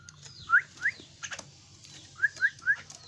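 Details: Caged young Javan myna giving quick rising whistled notes, two then three in fast succession, clear against a quiet background with a low hum.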